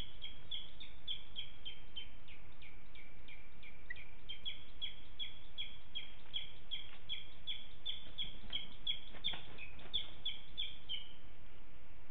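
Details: Booted eagle fledgling at its nest, flying from branch to branch and asking the female for food, captured by nest webcam in July 2019 in Els Ports; series of thin, high whistled notes, some slurring downward, repeated steadily over steady background hiss.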